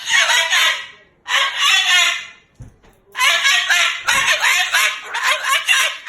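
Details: Angry Moluccan cockatoo, a pet, loudly talking and cursing: harsh phrases of about a second with a longer gap, plus faint human laughter.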